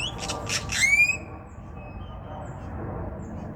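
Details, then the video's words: Grackle at a park in Denton making strange noises: a burst of harsh, wheezy squeaks followed by a thin rising metallic whistle, then steady background hum. "A grackle making weird noises in Denton"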